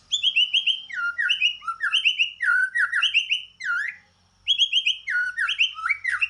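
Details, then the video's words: White-rumped shama fighting song, used as a lure to provoke other birds: rapid, varied whistled phrases of paired descending and hooked notes, repeated in bursts with a brief pause, loud and clear over a quiet background. "Siulan Tarung khas murai batu"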